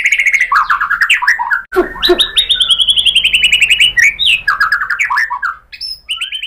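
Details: White-rumped shama (murai batu) singing as a lure to bring out 'tembakan' material: tumbling sweet phrases, a low rough note, a long fast trill, then more rolling whistles and a short high ending.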